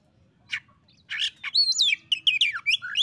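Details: Oriental magpie-robin singing to call out a rival that has been slow to sing: clear whistled notes and swooping slurred phrases, rising and falling quickly, after two short buzzy bursts, with a faint low hum underneath.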